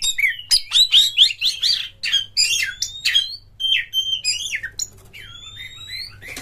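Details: Oriental magpie-robin (kacer) delivering long song material with tail open: loud harsh squawk-like notes interleaved with clear sliding whistles, fading into softer wavering whistles toward the end.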